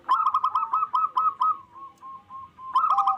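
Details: Local zebra dove singing with a loud voice to raise mating drive: rapid rippling series of short trilled coos, a softer lower-pitched stretch, then a louder burst of fast trills at the end.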